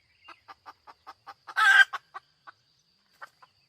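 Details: Hen clucking: a steady run of short, soft clucks about every fifth of a second, broken by one loud, harsh, drawn-out squawk, then a few scattered clucks trailing off.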